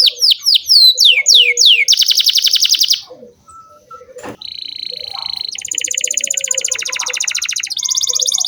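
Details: Vigorous canary singing for young canaries to learn from: a few bold rising sweeps, a buzzy trill, a short pause with a click, then steady high trills at changing pitches.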